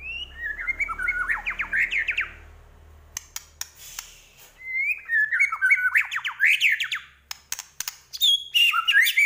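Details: White-rumped shama from Medan delivering full, varied song: fast rising whistled sweeps, a stretch of sharp clicks and rattles, then more looping whistles and high notes, over faint low hum.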